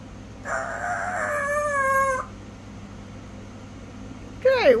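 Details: A pet parrot indoors suddenly lets out a loud scream out of nowhere: a held, harmonic, wavering cry lasting almost two seconds, then quiet, then a sharp cry that drops in pitch. A person speaks quietly just before.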